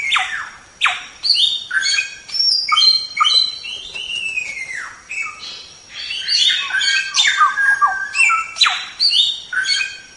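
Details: Masteran recording of a white-rumped shama: an energetic, varied song of whistles, sharp chips and buzzy slurs, including a long falling whistle, repeated in lively bursts about twice per second.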